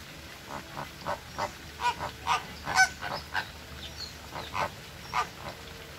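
Flamingos give short, nasal, goose-like honks, about a dozen in six seconds at an uneven pace, over a faint steady hiss.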